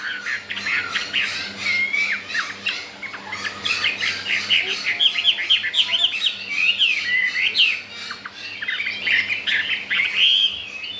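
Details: Caged Chinese hwamei, a wild bird only four days after arrival that already wants to breed and ignores the resident birds. It pours out a long, fast medley of clicks, chirps and fluid whistled slides without stopping.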